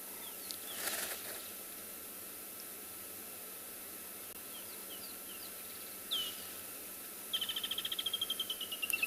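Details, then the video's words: Woodland kingfishers calling on a December morning game drive at a small pan in a South African private game reserve: a sharp note, then a fast descending trill, over soft ambient insects and other birds. "and we can hear the wonderful woodland kingfishers so i thought we could just sit and appreciate and listen for just a little bit"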